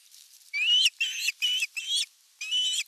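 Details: During evening feeding at the nest on 30 June 2022, an osprey gives five loud, strained whistled notes in steady series, the first clearly rising, recorded by nest camera.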